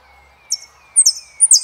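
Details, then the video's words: Saffron finch song, El peregrino style: three short buzzy high phrases with sharp downward slides, separated by pauses, over a faint thin lower whistled tone. "JILGUERO ARGENTINO - El peregrino"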